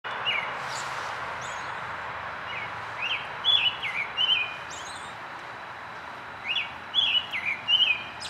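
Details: American robin singing in early morning in spring, 12 April 2010, at Rosetta McClain Gardens, Toronto, Ontario, Canada: short clear whistled phrases, rising and falling, in two bursts of three or four notes over a steady low rushing background.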